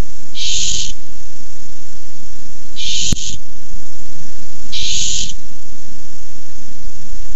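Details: Barn owls fighting over a tiny mouse on a nest camera, 6-4-15: three long breathy hisses about two seconds apart, with a sharp click between the first and second.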